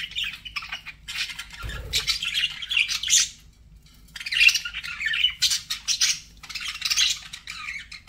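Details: Pet budgerigars chatter in dense warbling bursts of squeaky, scratchy notes, pausing briefly near the middle before resuming; a soft low thump sounds early on.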